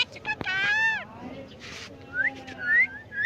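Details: Jungle myna mimicking human speech. A falling voice-like phrase is followed by a hissy burst and then a few thin, rising whistled notes.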